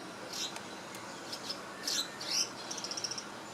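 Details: Singapore, 2017: a preening swiftlet-like bird makes a few squeaky high chirps, then a rapid even series of about eight tiny ticking notes at the end, over a low background hiss.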